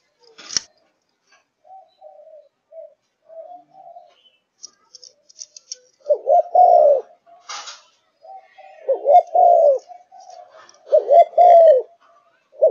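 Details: Malaysian spotted dove held as a cage bird, starting with soft quiet coos, then building into loud rolled cooing phrases with falling endings, interrupted by clicks, a sharp knock and scattered chirping.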